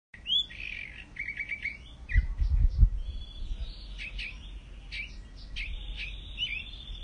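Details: Mockingbird singing a run of varied whistled and chirped phrases, some notes repeated in quick groups, with a few low thumps of handling noise midway.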